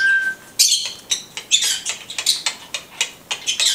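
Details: After a thin steady tone, a blue-headed conure gives a quick series of sharp, high, scratchy chirps, about three per second, rising and falling in loudness.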